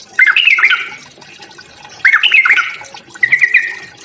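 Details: Yellow-vented bulbul fighting song to provoke rival birds: three rough, squawky phrases with scratchy slurred notes, about a second apart, against a low background hiss.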